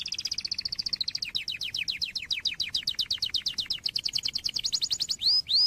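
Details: Canary tutor song for young canaries: a long, even, rapid trill of repeated notes that shifts tone and speeds up slightly, finishing with two loud upward-sweeping whistles.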